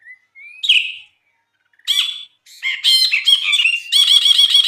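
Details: Brinji bulbul in full lively song for tutoring other birds: a thin rising whistle, a squeaky note, then harsh notes building into fast repeated buzzy chatter.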